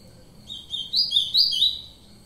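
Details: Ultramarine grosbeak song: a short phrase of clear, high warbled whistles rising and falling, with faint low background noise.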